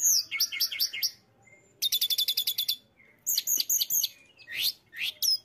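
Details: Mountain tailorbird delivering loud, rapid, high song: chattering note clusters, a fast even run of about a dozen repeated notes, then further chips and rising swept whistles with short gaps between bursts.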